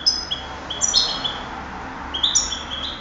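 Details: European goldfinch singing for a 2008 contest: bright, high, liquid twitters and short buzzy notes in quick clusters, separated by brief pauses.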